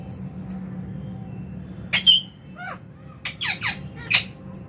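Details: Meal time in a lovebird aviary, January 2023: a loud shrill squawk, then a short quiet gap, followed by several sharp rising and falling chirps in quick succession, with a steady low hum behind.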